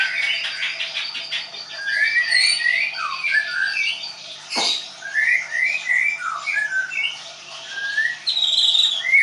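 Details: White-rumped shama kept at a Tangerang bird training school, singing high, thin whistled notes and chattering phrases, with a sharp click-like sound in the middle.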